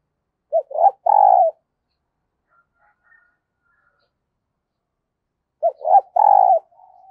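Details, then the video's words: Spotted dove used as a decoy to lure new wild birds, calling loudly and close: two identical phrases about five seconds apart, each two quick clipped notes then a longer, fuller low coo, with silence between. "Tiếng Chim Cu Mồi THÚC và GÁY GỌI Bổi Mới, Mở Là Gáy"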